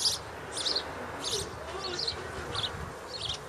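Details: House sparrow on a house roof, where sparrows nest in a corner, gives short, bright chirps about one every two-thirds of a second over a low, steady background rumble.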